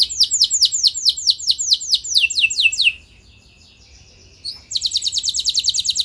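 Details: Canary song meant to stir other canaries to sing back: a series of loud downward-sweeping whistled notes about twice per second, a quiet gap of more than a second, then a rapid high trilling roll.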